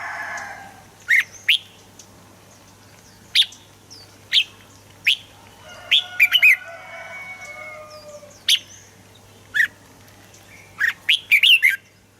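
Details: Red-whiskered bulbul song, played to train birds and make them lively: short loud chirpy phrases with sharp up-and-down notes in bursts about once a second, with a cluster near the end, over faint warbling from other birds.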